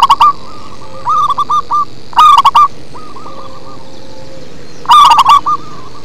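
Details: Zebra dove, a local bird, singing with a bass-heavy voice. Loud stuttering coo bursts come about every three seconds, with softer, rolling coo series from neighbouring doves between them.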